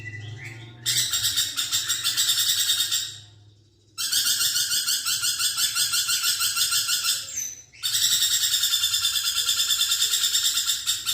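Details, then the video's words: Vocal lorikeet (nuri perkici), a practice recording for magpie robins: three long runs of harsh, buzzy, rhythmically pulsing screeches separated by short silences, with faint twittering in between. "BURUNG NURI PERKICI GACOR"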